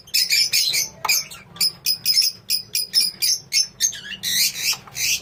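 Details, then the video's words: A colony of lovebirds keeping up a rapid series of short, piercing chirps, several per second, ending in a run of harsher overlapping squawks. "Love bird colony"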